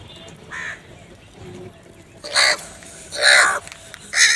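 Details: Crows fighting for food: a soft distant caw, then three loud, harsh, raspy caws about a second apart, each strong and clipped, over faint background noise.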